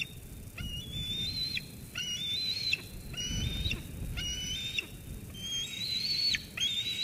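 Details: Eaglet at Sauces Canyon, 13 June 2021, squeeing persistently at its mother after she brings food, until she leaves. About six shrill level whistles, each rising slightly and then clipped by a sharp fall, evenly spaced over light background noise.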